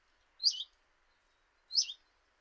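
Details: In Eibar in early March 2018, a common chiffchaff by a kitchen window utters two high, slightly blurred, downturning notes about 1.3 seconds apart against a soft, steady hum.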